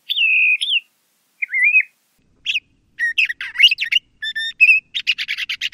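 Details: LeConte's thrasher opening with a sustained level whistle, then a short slurred note, building into rapid, buzzy, harsh phrases that end in a rattling burst.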